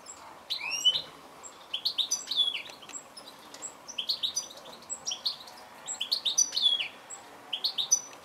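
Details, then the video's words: Goldfinch calling: clusters of bright, tinkling chirps and short rising whistled notes come in quick bursts over about eight seconds against a faint, steady background hiss. "Goldfinch call"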